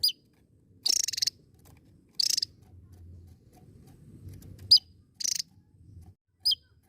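Javan tesia singing in short, very high, buzzy bursts roughly every second or so, with a faint low rumble between phrases.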